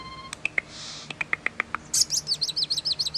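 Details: Common starling singing: a thin level whistle, a soft hiss, a row of sharp ticks, then rapid repeated high looping whistled notes.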